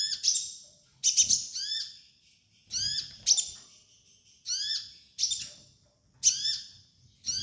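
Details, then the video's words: Sunbird song used as a training master: high, thin bursts of sharp descending and rising notes with buzzy overtones, phrases separated by short pauses roughly every second, with a faint low hum behind. "MASTERAN KOLIBRI NINJA DAN TERAPI KONIN BAHAN"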